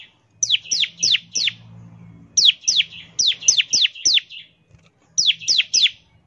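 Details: Bar-winged prinia 'ngebren' lure song: groups of three to five high, falling whistled notes with buzzy tails, separated by pauses, with faint low hum in the background.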